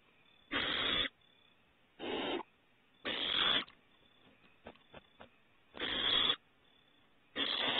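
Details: Owlets on their second outing outside the nest at Starr Ranch on 21 April 2018 give harsh, breathy hissing bursts. Each lasts about half a second and they come roughly once a second, with faint clicks between them.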